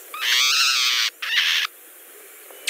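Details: Hutton's vireo (Vireo huttoni) in winter on the Mendocino Coast, a bird more often heard than seen, giving its sneer call: two harsh, nasal, buzzy sneers, long then shorter, like a snarling cat.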